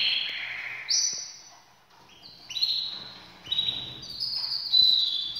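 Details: Breeding-ready canaries deliver high, rolling trilled phrases that step between pitches, swelling and fading in bursts with brief quiet gaps between them.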